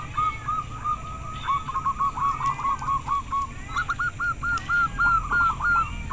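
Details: Local zebra dove (perkutut) cooing with rapid, stuttering notes near one pitch, delivered in quick bursts several times per second. A steady high electrical hum and low background rumble run throughout.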